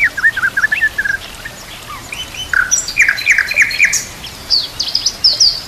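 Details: White-rumped shama training master with complete fill-in phrases, nature sounds and trickling water: a jumble of slurred whistles, then a series of emphatic descending notes and high thin squeaky phrases.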